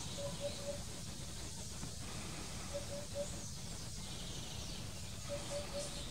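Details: Eurasian hoopoe at Drunen, Netherlands, 4 June 2020, giving soft, low hollow triple hoots, oop-oop-oop, repeated about every two and a half seconds over a steady low rumble of wind or distant traffic.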